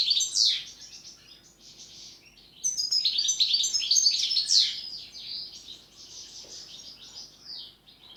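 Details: Goldfinch song of the pletivo type, 'ziju u ziju stanka': a rapid, continuous run of tinkling, twittering notes with a loud buzzy burst near the start and a richer, louder passage mid-way, then softer chatter trailing off.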